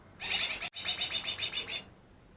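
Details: Newly trapped greater green leafbird, said to imitate ten other bird species, delivers a fast high chattering trill of about a dozen scratchy notes with one brief break, lasting under two seconds.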